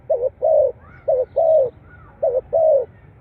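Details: Spotted dove cooing, played to stimulate captive doves to start calling: low, mellow coos in pairs, a short note followed by a longer drawn-out one, repeated three times over about three seconds.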